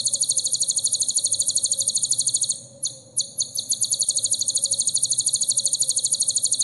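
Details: Sunbird, kolibri ninja, singing in a recording for teaching songs to caged birds: a continuous, very high, rapidly pulsing trill, briefly broken by stuttered notes near the middle, then resuming at the same fast pace.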